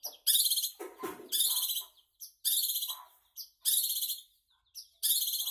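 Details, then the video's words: Long-tailed shrike singing energetically: loud, harsh, buzzy high-pitched bursts about half a second long, repeated roughly once a second with short quieter notes between them, and a brief low voice near the start. "Burung Cendet gacor"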